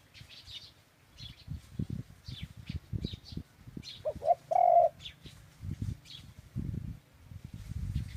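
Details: One dove phrase rises out of noisy surroundings: two short coos and then a held coo. There is scattered low thumping and distant small-bird chirps.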